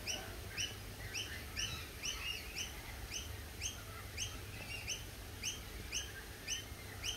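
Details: Lorikeets give a run of short, bright, slurred chirps, roughly two per second in an even rhythm, with a few softer overlapping notes and a constant low background drone.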